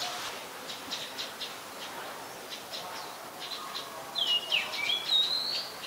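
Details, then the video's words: Adult common tailorbird (Orthotomus sutorius), Ubon Ratchathani, Thailand, 3 February 2023: faint, high, sharp notes in a quick series, then a louder burst of rising whistled notes, over steady background hiss. "นกกระจิบธรรมดา (Common Tailorbird)"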